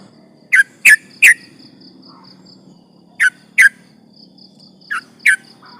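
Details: Sooty-headed bulbul used as a lure for rival birds gives short bursts of two or three quick, sharp chirps separated by pauses, with a steady pulsing high-pitched buzz, like an insect, running behind.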